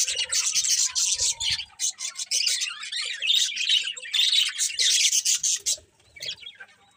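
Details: Morning bird chirping: bursts of busy, high-pitched twittering and squeaky notes, a faint lower whistle early on, some soft rubbing thumps, fading out near the end.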